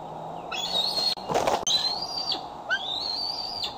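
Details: Female bald eagle at Decorah, recently fitted with a transmitter, back on her branch at 8:44 pm on 12 July 2011 in waning light, filmed by a nest cam: thin, high, slightly rising whistled calls, each ending in a quick downward slur.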